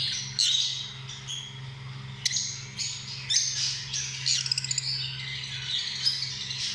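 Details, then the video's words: Lovebirds uttering sharp high squawks and squeaky chirps at irregular intervals over a low steady hum. "Amazing sound of love birds"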